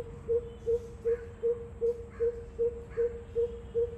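Greater coucal giving a deep, hollow series of booming hoots, about ten evenly spaced notes at under three per second, over a faint background hiss.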